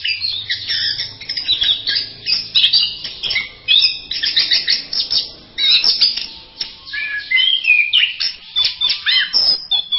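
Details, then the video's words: Orange-headed thrush singing a masteran medley: steady loud phrases of chirps, trills and twangy whistles, following one another with short gaps, and a faint low drone early on. "Berbagai kicau burung anis masteran"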